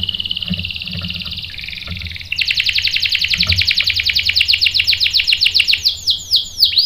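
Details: Singing canary on a lure recording meant to make a male answer. A steady buzzy trill gives way to a fast rolling series of sharp repeated notes, finishing with a few swooping whistles.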